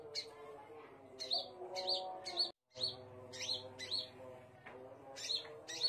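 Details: Scarlet minivet singing: short, high, thin notes, some sharply upswept, repeated roughly twice a second in an uneven rhythm over a steady low droning hum. The sound drops out briefly midway.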